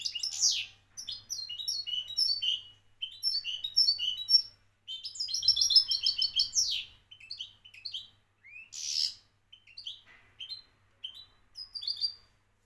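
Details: European goldfinch song, Moroccan champion style: long sequence of fast tinkling twitter phrases and clear chirps with brief gaps, including a dense rolling burst and a short buzzy note.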